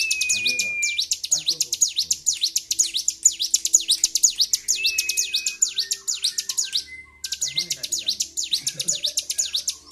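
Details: Excited Bar-winged prinia singing without pause, 26 February 2023. Dense, quick, high-pitched V-shaped notes pour out for nearly ten seconds, with a couple of short flat whistles and a brief break near seven seconds.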